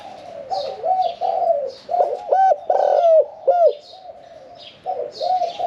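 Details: Caged male-style spotted dove kept one year four months, cooing in the Thai "khan yon 1 kuk" style with a medium voice: loud, hooting coos in quick bursts with sharp rising-falling notes, softer coos from other doves behind.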